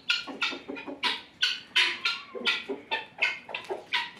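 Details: Helmeted guineafowl (Numida meleagris): harsh, grating calls repeated in quick, uneven bursts.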